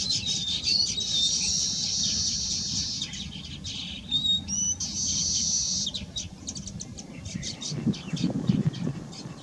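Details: Baya weavers (Ploceus philippinus philippinus) beginning to build nests give high, buzzy, wheezing chatter in long bursts with thin whistled notes mixed in, over a low rumble of wind.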